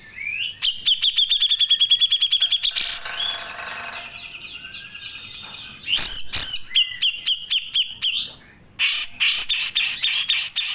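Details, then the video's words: Grey-cheeked bulbul, known locally as cucak jenggot, delivering long 'nembak' song bursts: fast trains of clipped high notes repeated several times a second, broken by a noisy rasping patch and sweeping whistled slurs. "CUCAK JENGGOT GACOR"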